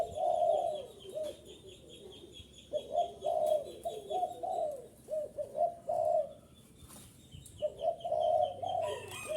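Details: Spotted dove coos used to draw wild doves close: mellow, rolling low phrases in clusters separated by quiet gaps, with soft high chirps and occasional clicks behind.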